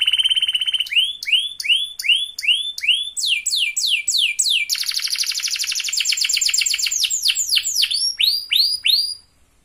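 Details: Canary song used as a lure for other canaries: clear rising whistles repeated about twice a second, building into fast overlapping high trills and rolls, then returning to spaced upswept notes before stopping.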